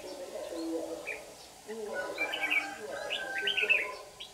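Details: Red-whiskered bulbul serving as a lure bird, singing competitively in the early morning while being used for trapping in Đồng Nai on 26 June 2019; two brisk warbled phrases rise above ongoing human speech.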